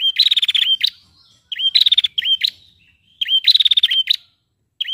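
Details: Female prinia call meant to get males singing: bursts of a rising chip followed by a fast stuttering buzzy trill and a sharp upward flick, repeated roughly every one and a half seconds with short silent gaps.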